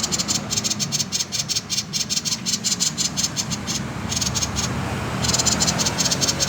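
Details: Common iora giving its 'konslet' style song, used to prompt other birds into singing: rapid buzzy rattling pulses in several bursts, repeated almost three times a second, with short pauses between bursts and a steady low hum beneath.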